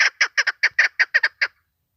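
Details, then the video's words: Female Chukar partridge lure call for hunting: eight loud, raspy clucks in quick succession, some doubled, then silence. "Овози модкабки шикори барои шикор, Dişi keklik sesi, صدای کبک ماده برای شکار، صوت الحجل الانثی طویل"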